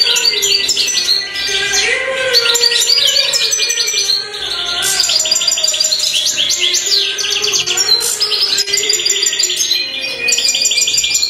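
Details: Black goldfinch mutation in full song, rapid jangling twitters and short buzzy trills in bursts, dipping briefly around four seconds before resuming, with a constant low tone beneath.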